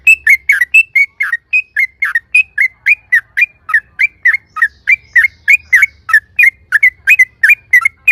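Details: Yellow-vented bulbul giving a lure song to make other birds answer at once: a steady, unbroken series of loud, downslurred chirps, about four per second, over a faint low hum.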